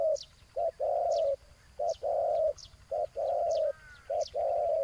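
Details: Decoy spotted dove on the ground calling against a wild rival: long, steady, resonant coos. Each one follows a short lead note, and the phrases come about once a second. Thin high chirps are heard behind.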